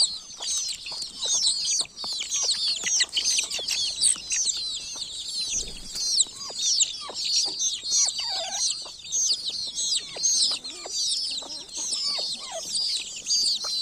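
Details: Baby chickens in a village giving a constant flock chorus of shrill, descending peeps, packed and overlapping, with one lower drawn-out slurred note near the middle and light tapping sounds underneath.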